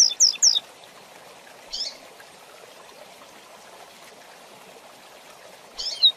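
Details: Rusty-collared seedeater song in a training recording used for teaching young birds to sing: a short burst of high, quick whistled notes at the start, a brief faint note mid-way and another high phrase at the end, with a steady hiss behind.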